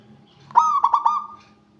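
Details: One song phrase from a local zebra dove summoning rivals: a soft cooing note followed by three fast throaty pulses and a trailing tone, with a faint low hum underneath.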